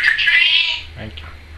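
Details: A pet Timneh African grey parrot saying "trick or treat": a high, raspy, speech-like phrase lasting under a second, followed by a brief lower voice and faint indoor hum.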